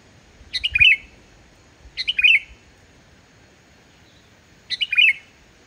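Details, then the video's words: Sooty-headed bulbul song, lively and free of inserted imitations, for luring other bulbuls to sing: three fuller warbled phrases with bubbly, falling whistles. The first two come close together and the third follows after a pause. "suara burung kutilang gacor tanpa isian, ampuh buat pancingan burung kutilang yg male bunyi"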